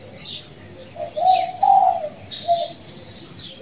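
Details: A champion zebra dove with a long, melodious voice coos softly and low: a purring phrase swelling into a longer mellow note, then a brief coo, with faint high chirps of other birds behind.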